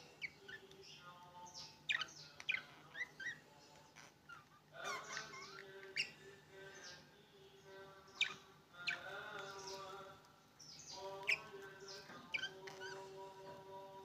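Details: Quiet, continuous chatter of opaline green and opaline blue budgerigars, with scattered sharp chirps and buzzy warbled phrases over roughly fourteen seconds.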